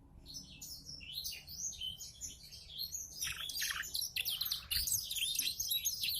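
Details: Canary singing a song tutored with Black-throated canary song: rapid, varied high twittering phrases of chips, buzzy trills and quick sliding notes, delivered without pause and growing louder toward the end.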